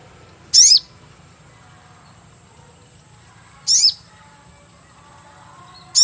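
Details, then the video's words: Lure call of the sogon, used for catching birds: three short high squeaky chirps spaced about three seconds apart, each sliding downward, over quiet hiss. "cuit cuit pancingan burung sogon"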